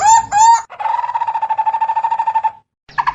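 A barbet gives two clear, mellow hooting notes, then a fast, even run of short throaty pulses at a steady mid pitch, about eight per second.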